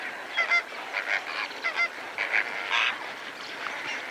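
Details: Several greater flamingos, feeding together with lesser flamingos, keep up a busy run of short honking and gabbling calls, overlapping and tumbling quickly one after another; spur-winged goose calls are also present nearby.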